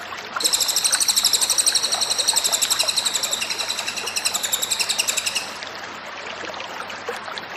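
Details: Cililin singing energetically for a masteran training recording, giving one sustained five-second run of fast, high-pitched, evenly repeated chirping notes over a faint low hum.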